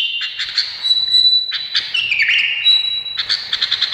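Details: An Indonesian bulbul sings loud, bubbly phrases of clear warbled notes with sliding whistles, bursts coming about every second and a half.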